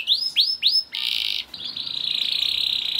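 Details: Lure song of a young canary, meant to set other canaries singing: three rising-and-falling whistled notes, then a dense buzzy trill that continues as a quick, steady rattle.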